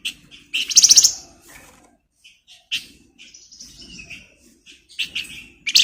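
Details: Flamboyan bird song used to tutor magpie-robins: a loud rapid shrill trill near the start, then scattered thin whistles and short chips with quiet gaps, ending with another sharp burst.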